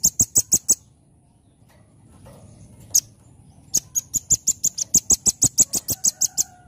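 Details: Velvet-fronted nuthatch in energetic 'nembak' song: a quick run of high piercing notes, a pause broken by one sharp call, then a longer rapid volley of shrill notes around six per second.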